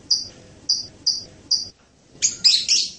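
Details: Loriculus hanging parrot, locally serindit: four thin, evenly spaced high whistled chips, a brief pause, then a scratchy burst of shrill notes.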